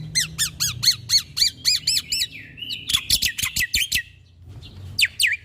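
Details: Black-winged starling (jalak putih) in active song as training material for caged birds: a steady series of repeated down-slurred whistles, then a fast run of sharp clicking notes, a pause, and more bright slurred notes.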